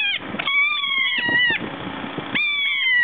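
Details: Keas pestering and bothering each other: loud drawn-out harmonic calls that slide slowly downward, each lasting about a second, with short squawks and scuffling noises between them.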